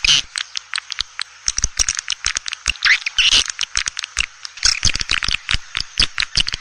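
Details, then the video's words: Swiftlets giving dense, rapid chattering of dry clicking pulses mixed with high, buzzy chirps, tumbling on without pause; a call played to lure swiftlets into a swiftlet house. "SUARA PANGGIL BURUNG WALET"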